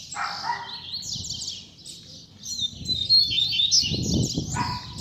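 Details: Coleiro, the Double-collared seedeater, delivers a high tutor song meant for young birds learning: fast buzzy trills and sharp chattered notes in a near-continuous stream, with brief lower rough bursts and soft rumbling noise underneath.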